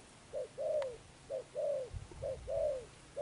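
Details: Coo of a spotted dove in the "gù âm sấm thổ" style. A short hoot leads into a longer bowed coo, and the pair repeats regularly. A faint low rumble sits underneath.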